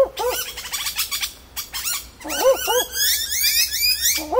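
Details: Daytime barking owl hidden high in a dense tree at Warriewood, Northern Beaches, NSW, calling for a mate; short double woofing notes at the start and end, swamped by a chorus of bell miners and screeching birds.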